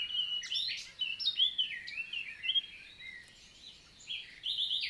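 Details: Common nightingale singing in daytime, forest in La Vallée du Célé, south of France, June 2023: loud varied phrases of sharp chirps, slurred whistles and short trills separated by brief pauses.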